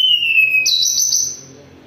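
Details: A Sunda robin in moult holds a long, slightly falling whistle, then switches to a higher, vibrating sustained note that fades.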